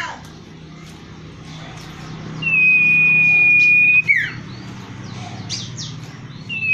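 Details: Common iora singing a single long, steady whistled note held for over a second, ending in a quick downward flick, with faint high chips and a low background hum.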